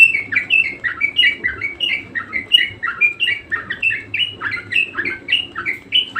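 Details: Budgerigar in vigorous song, a long run of clipped chirps and slurred twitters delivered in quick regular pulses, about two notes a second, over a faint steady hum.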